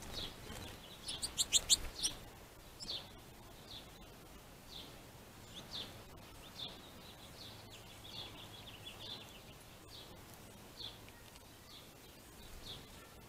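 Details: Finches quarrelling over plentiful food: a sudden loud burst of sharp, clustered chirps early on, then a long run of softer, high chirps repeated irregularly over low outdoor noise.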